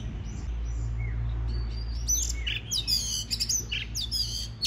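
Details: White-rumped shama song for stimulating singing: faint thin whistles at first, then loud, varied bursts of sharp chirps, buzzes and clear whistled notes, with low hum beneath.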